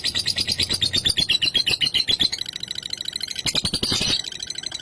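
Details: Ngekek song of a lovebird meant to rouse rival birds: fast, shrill, metallic chatter repeated about four times per second, with a brief scratchy flurry near the end.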